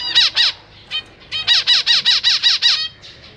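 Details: Zebra finches in a cage, parents feeding newly fledged and juvenile young, 4 May 2023; loud nasal honking calls, two quick ones, a brief pause, then a fast even series of about eight, near three per second.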